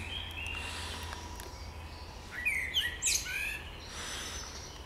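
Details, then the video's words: Spring bird song over steady background hum: faint notes early, then a loud burst of twittering, rapid chirps and descending whistles in the middle of the clip. "Wiosenny śpiew ptaków"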